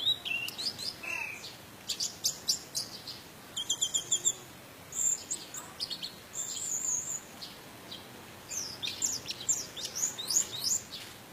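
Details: Orange-headed thrush, 'teler' style with a rich mimicked repertoire, used to prompt silent or stressed birds to sing. Rapid bursts of high, sharp chirps and trills come in clusters, separated by brief pauses.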